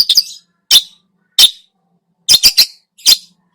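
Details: Harsh, scratchy single squawks from a Long-tailed shrike, spaced by pauses of over half a second, then a quick burst of three grating notes, from a lure recording of its mimicry-filled song; no other sounds.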